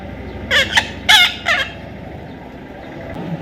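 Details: Young parrot calling in short raspy bursts, three squawks, the middle one loudest and longest, within about one second, followed by low background noise.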